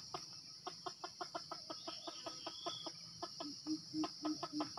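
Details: Red junglefowl in Sumatra, lured with a decoy: a rapid run of sharp, dry clucks, about three per second and somewhat uneven, with a few lower hooting notes near the end, all over a steady high insect drone.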